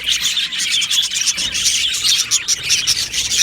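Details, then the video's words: Budgerigar flock in an aviary, 12 July 2025, producing loud bright chirps and twittering notes in quick succession over constant colony chatter. "Australian Budgie Chirping Sounds"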